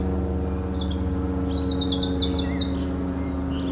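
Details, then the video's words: Brief run of robin song, a rapid thin cascade of high twittering notes, set against a droning mechanical hum with several steady tones. "Rotkehlchen singt - Gesang Robin singing"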